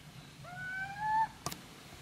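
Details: A little owl (Athene noctua) at Gmina Podedwórze, Poland, on 2 November 2018 gives one drawn-out, plaintive mewing note that rises slightly before breaking off, followed by a sharp knock.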